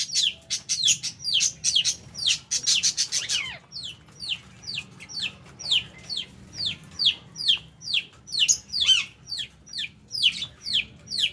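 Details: Lovebirds feeding with budgie parrots give loud, shrill chirps. A quick burst of crowded high notes gives way to a steady series of downward-sweeping squeaks, about two each second, with brief gaps between.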